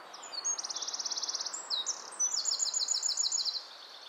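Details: Wren in nesting season singing: brief high notes lead into a rattling trill of quick identical pulses, followed by a jumble of piercing high chips and a second trill before it stops.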